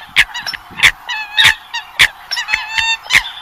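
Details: Vietnamese lure sound of Eurasian coots for trapping birds in nets at night: punchy, separate honks roughly every half second to second, each with stacked harmonics and softer chatter between them.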